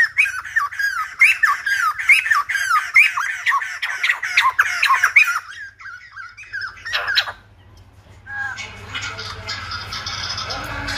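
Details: A Silver-headed babbler, whose singing is likened to a lumba dancer, chatters in quick squawky whistled bursts for about six seconds, then fades into broad rustling noise and a low hum.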